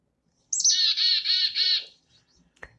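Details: A Black-capped Chickadee, common in southern Wisconsin, gives its chickadee-dee-dee call, where more 'dee' notes mean more anger: a quick high 'chick' followed by a run of harsh, buzzy 'dee' notes lasting over a second, then a faint tap.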